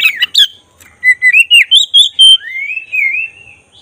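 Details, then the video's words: Black-breasted oriental magpie-robin in full, frequent song, used as a lure to provoke emotion and tail opening: harsh opening notes, then a run of clear whistled notes rising and falling, ending in a long slurred whistle. "Suara khas pancingan agar emosi buka ekor burung kacer dada hitam gacor"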